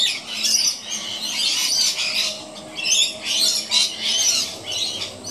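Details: Two rainbow lorikeets playing on an old piece of rope high up in a gum tree; harsh, screechy squawks in loud bursts, several overlapping, with brief quieter gaps between outbursts.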